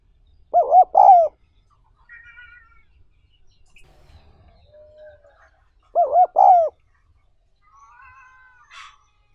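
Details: Spotted dove call recorded for training newly caught wild doves as decoys: two loud, wavering, two-part coos about five seconds apart, with faint chirps and soft calls from other birds between them.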